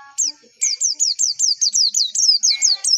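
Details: White-eye song for prompting competition birds to sing: a steady series of high, downward-slurred whistles repeated about every quarter second, with faint lower sounds in the background at the start.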